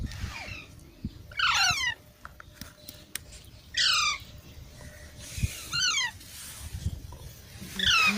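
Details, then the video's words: Baby parrots, green Indian parrots called mitthu, giving harsh descending squawks with stacked bands, four bursts spaced roughly two seconds apart over faint background noise. "Baby Parrots Sounds"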